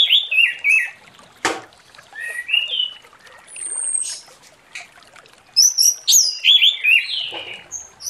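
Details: Orange-headed thrush singing in the morning, used as a lure for other birds: fast, varied phrases of high whistles, slurred sweeps and chattering notes in quick bursts, with a sharp click partway through.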